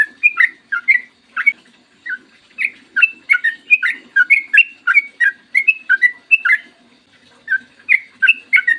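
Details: Yellow-vented bulbul (trucukan) giving a clear morning song in the long, rapid 'ropel panjang' style, played as a lure to make bulbuls sing: quick, lively chains of warbled chirps, briefly pausing, over a soft background hum.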